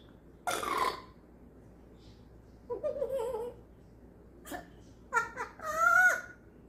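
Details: Pet African grey parrot imitating a human laugh it picked up, which it can keep up for up to two hours: raspy bursts, a wavering nasal note, then choppy rising and falling cackles.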